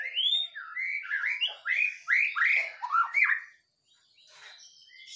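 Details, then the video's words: White-rumped shama in a cage, put out in the morning dew and singing strongly: a series of loud, arching whistles that rise and fall in quick succession, ending in a short pause and faint higher notes. "saat mengembunkan MB kepantau GACOR"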